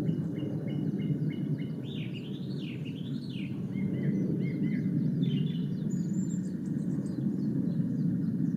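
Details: Male Japanese Thrush in song at Ōbora spring, Lake Yamanaka, Japan, 3 May 2017. Repeated whistles lead into loud swooping, wavering phrases, then lower notes and high thin trills, over constant low rumbling noise.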